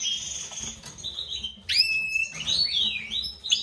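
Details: European goldfinch from a captive breeding pair, a white-throated mutation male with a classic female: high twittering phrases with sharp downward-sweeping notes and a sustained thin whistle.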